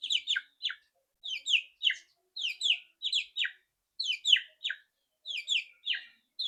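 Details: White-rumped shama, a loud rattling song meant to get a bird singing quickly: short clusters of two or three sharp descending chirps, repeated roughly every second.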